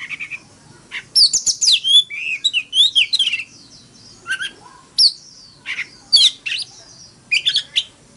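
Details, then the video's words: Oriental magpie-robin fighting song from a decoy bird, forest-voice style, meant to spur other birds into morning singing. A quiet start gives way to rapid runs of sliding whistles and chirps, then scattered sharp phrases separated by short pauses. "Tiếng than mồi hót đấu"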